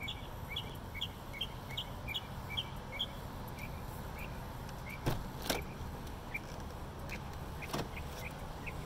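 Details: Perched on a light fixture in Bluffton, South Carolina, a northern mockingbird repeats paired high chirps in a steady run, then scattered single notes, interrupted by a few sharp knocks or thumps and a low background hum.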